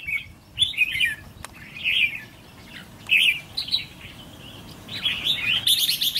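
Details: Trainee decoy red-whiskered bulbul ('fire eyelids') being tested: separate bursts of buzzy, bright chirping roughly every second, ending in a harsher rapid flurry, with clicks and brief flapping-like noise.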